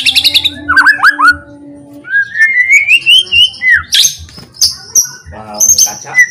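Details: White-rumped shama song meant to provoke other shamas: a high buzz, hooked whistles, a long rising warble, then scattered high sharp notes and clicks, with a low hum at first.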